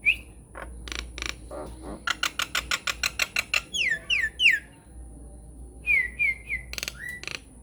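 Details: Varied Nias hill myna lure song for prompting other mynas to sing: a rising whistle, rapid dry clicks, several sliding upward whistles, then a few clear level whistled notes among clicks.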